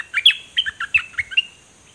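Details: A short phrase of Dok Taeng bird song, from two pet birds recorded in 2020 so young birds can learn it: about eight sharp, nasal chirps in quick succession over one and a half seconds, then quiet.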